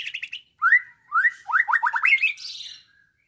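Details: Caged young white-rumped shama, about nine months old, trained on songs of lovebird, canary and other species, delivers a varied phrase of slurred rising whistles, a quick run of falling chips, then a high buzzy flourish.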